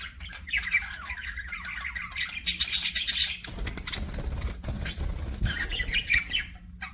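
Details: Pet budgies give fast, scratchy warbling chatter, then a loud burst of harsh squawky chirps, followed by a rumbling low noise and more scattered twittering toward the end.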